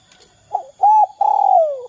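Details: A single spotted dove phrase, 'kuk 2' style, used as a lure for other doves: a soft low note, a clear steady hoot, then a long vibrating coo gliding down in pitch.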